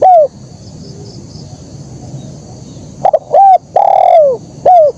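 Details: Spotted dove in 'kuk 1' song: one trailing coo, a quiet gap, then a stuttered double note, a short coo, a long descending coo and a last clipped coo. Faint steady hiss underneath.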